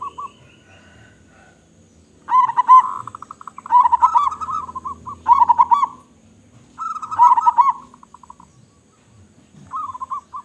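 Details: Local zebra dove with a big voice, singing actively: deep rhythmic cooing phrases, each a stuttering run of quick notes ending in a rolling coo, repeated about every two seconds with short pauses between.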